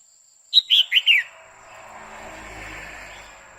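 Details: Female red-whiskered bulbul calling a male with a 'quých kiu' phrase: four loud, quick whistled notes that fall in pitch. A broad rushing noise, like a passing vehicle, swells afterward.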